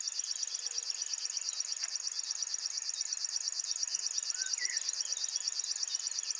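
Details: Male River Warbler singing strongly at RSPB Ham Wall in the early morning; an unbroken, cricket-like buzzing reel of fast, even pulses, with a couple of brief distant bird whistles behind.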